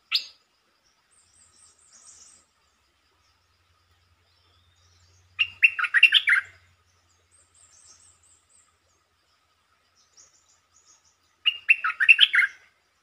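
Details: A red-whiskered bulbul delivers brief, fast-starting song phrases: a sharp opening note, then two bubbly warbled bursts about six seconds apart, each a quick tumble of liquid notes.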